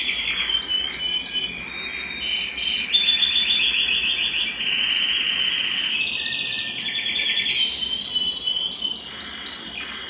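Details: Excited canary wanting to mate, singing at home: varied song of steady rolling trills, chattering runs and short whistles, climaxing in a series of rapid rising swept notes near the end.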